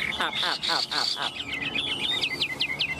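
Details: Tame Chinese hwamei from Vietnam singing steadily and well, perched in a cage: a burst of fast rattling notes followed by a quick series of bright, repeated two-part whistled phrases, about three per second.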